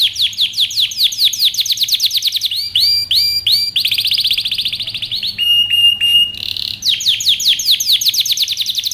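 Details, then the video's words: Powerful canary song meant for training, built from rapid trilled phrases: fast descending notes, slower looping notes, a dense buzzy roll, and a short flat whistled tone before the quick trills resume. "canary singing over power canary most powerful song for best training"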